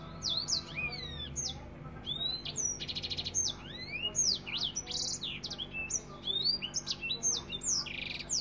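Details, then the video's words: African finch singing a dense, rapid 'nembak rapet' style song, used as tutor material for training songbirds: quick high downslurred whistles and sharp chips tumbling nonstop, with brief buzzy bursts and a faint low hum beneath. "Masteran African finch nembak rapet"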